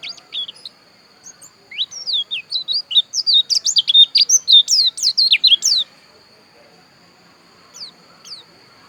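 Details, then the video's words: Javan white-eye of the dakun type from Pupuan, Bali, singing a fast, varied twittering run of high, sharp chirps and slurred notes for about four seconds, then pausing before two more short chirps; a faint steady high whine throughout. "Suara Pleci Dakun Bali Pupuan"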